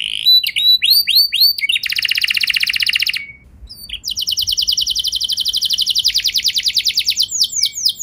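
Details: Canary singing to provoke other canaries into long rolls: looping whistles, a dense buzzy trill, a short pause, then a long steady rolling trill for about four seconds.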